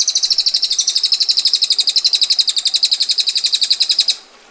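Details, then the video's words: Rapid, harsh ngetir trill of a female bar-winged prinia, a long dense roll of high rattling notes at about ten per second, lasting four seconds before stopping abruptly into quiet. "Prenjak Betina Gacor Ngetir Rapat Tajam Kasar Roll Panjang"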